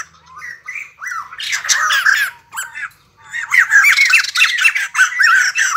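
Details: Captive white-crested laughingthrush singing loudly in the early morning while dancing: harsh, squawking chatter mixed with bright, rising whistled notes in rapid, uneven bursts with brief pauses.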